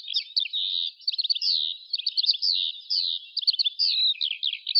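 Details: Sweet, fluent skylark song of tumbling chirps and slurred whistles run together, the phrases surging and easing in loudness but never stopping.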